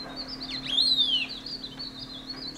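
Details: Dark-throated Thrush foraging at a hollow in an old maple trunk in Landour, Mussoorie, Uttarakhand, India, on 26 March 2014, with over 200 in the ravine; a thin, high whistled note slides downward, among faint high chirps over a steady low hum.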